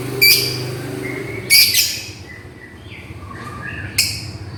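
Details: Lovebird calling to its companion, with a few loud shrill shrieks and softer sliding chirps between them over a low background hum.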